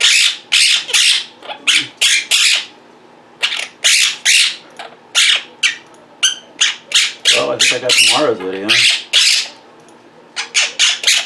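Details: Pet Quaker parrots, vocal and mimicking indoors: bursts of harsh squawks in uneven clusters, with a low human voice speaking beneath them partway through.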